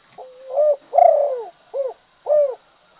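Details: Spotted dove cooing a prized 'kuk 2' song: a soft low rising note, then two stressed coos and two short hollow notes, with a steady high electrical whine behind.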